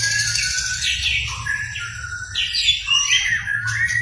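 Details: Murai batu, white-rumped shama, song used to provoke another shama into singing: varied loud whistled phrases sweeping between high and mid pitch, overlapping notes, with a steady low hum beneath.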